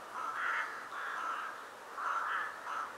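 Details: Rooks gathering at Ottakring cemetery in Vienna on a winter evening shortly before dusk; a flock of harsh, overlapping caws rises and falls in four distinct swells over three seconds.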